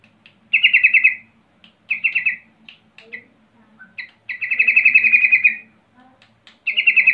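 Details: Yellow-vented bulbul call intended to set off answering bulbuls: a series of rapid chattering bursts of varying length, some short and one longer, with faint softer notes scattered between.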